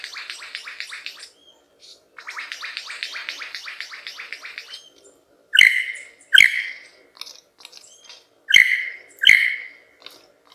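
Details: A male superb lyrebird sings a complex mimicking song to lure females to admire his plumes. A long run of rapid buzzy notes is followed by four loud, sharp, ringing calls spaced about a second apart.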